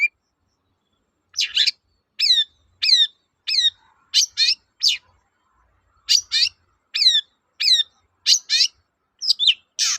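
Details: Long-tailed shrike singing 'toet-toet' to prompt other silent shrikes to resume song; after a quiet start, a steady series of paired, downward-sliding whistled notes, about one pair each half second.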